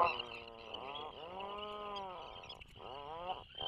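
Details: From a puffin burrow off Maine where Atlantic puffins breed and raise young, 2024: fairly soft repeated moaning calls, each a drawn-out harmonic note with a gentle arching pitch, separated by brief gaps, over a faint continuous high whine.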